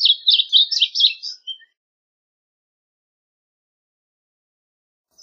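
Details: Varied bunting giving one short burst of song, a hurried jumble of high, buzzy chirps lasting about a second and a half, followed by silence.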